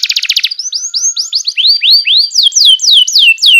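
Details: Canary singing as a tutor recording for young birds: a quick rattling trill opens into a series of swooping, rising and falling whistled notes repeated about four per second.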